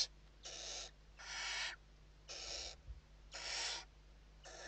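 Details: Western barn owl nest in Spain at evening feeding, 29 November 2023; five fairly quiet, breathy hissing screeches at irregular intervals.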